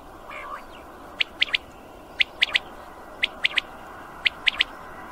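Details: Common quail song: crisp, high, three-note phrases repeated about once a second, four phrases in all, over a faint steady background hiss with a soft low sound at the start.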